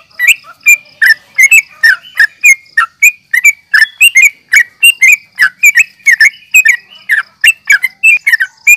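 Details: Fighting call of a yellow-vented bulbul for provoking and luring rivals: an unbroken string of punchy, downslurred chirps, quick and slightly uneven, sustained for the whole stretch.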